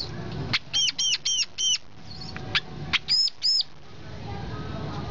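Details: Brown-throated sunbird producing a run of four even, arched, ringing whistles, a short pause with a few sharp ticks, then two more arched notes.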